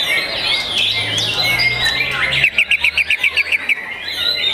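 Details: Young white-rumped shama song: mixed whistled phrases and chatter give way to a crisp, rapid series of about ten identical clipped notes, then softer warbling resumes; a low hum runs underneath.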